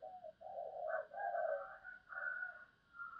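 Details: Spotted dove cooing with a deep booming quality, low hoarse coo phrases in a repeated pattern, somewhat muffled against a steady background hiss.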